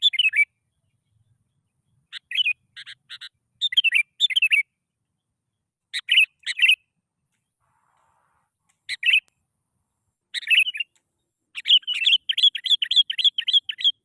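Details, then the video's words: Sooty-headed bulbul song, used as a lure to make other bulbuls sing: short bubbly, warbled phrases dipping and rising, repeated in bursts with pauses, ending in a rapid run of repeated sweeping notes; no other sounds. "PANCINGAN BURUNG KUTILANG. Males Bunyi Auto Langsung Bersuara.."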